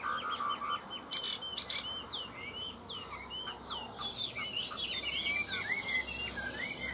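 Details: Caged hwamei singing at midday: a run of looping whistled notes that swoop up and down, punctuated by two sharp clicks early on, with hiss rising in the background partway through.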